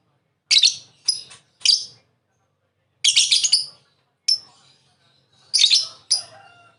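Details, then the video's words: Lovebird calls in scattered groups: clusters of two or three scratchy, high chirps separated by pauses of one to two seconds, some notes longer and raspier. "Masteran Burung lovebird Ngekek"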